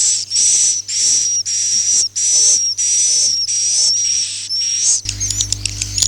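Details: Akau ngaji style swiftlet chirps, about eight hissing, whistled bursts in quick succession for five seconds, then a shift to a noisier passage with scattered chirps and a louder low hum.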